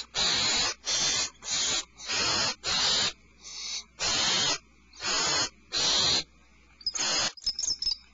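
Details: Alarmed owlets in their nest hole produce a rapid run of rasping screeches, about nine bursts close together, then high thin twittering at the end.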